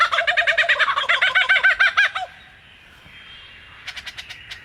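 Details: A bird giving a rapid run of wavering, harmonic, nasal notes about five a second for two seconds, a pause, then softer quick high ticking notes.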